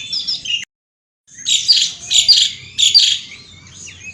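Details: Asian pied starling outdoors singing rapid, scratchy chattering phrases in three loud bursts with high squeaks, after a short silent gap.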